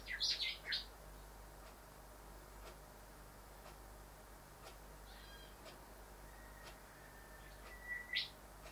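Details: Rufous whistler male at a house window at this time of year: quick bright whistled notes, a long quiet gap with faint ticking, then a steady held whistle snapping upward into a sharp whip-like crack.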